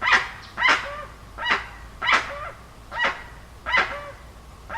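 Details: Six harsh honks from a dusky-legged guan, spaced under a second apart, several trailing into a brief lower moan, over a quiet low-pitched hum.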